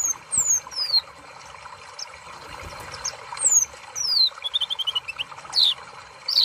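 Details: Sunbird song: thin, high whistles sliding steeply downward, repeated in short runs, then a quick series of evenly spaced notes, over a trickling, water-like background.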